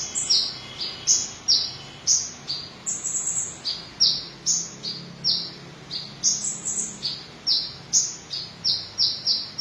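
Van Hasselt's sunbird sings a quick, steady run of thin, very high chips and sharp tsip notes, about two a second, with no other sounds.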